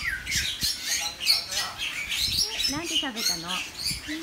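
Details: A caged common hill myna in a residential area of Sanur, Bali, July 2019, gives harsh ringing squawks and clipped speech-like phrases, mimicry, in quick succession while people talk softly nearby.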